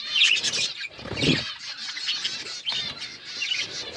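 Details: Continuous budgie chatter of high, rasping chirps and twittering notes, with a short low rustle or flutter early on and a few sharper squeaks standing out from the steady flock noise.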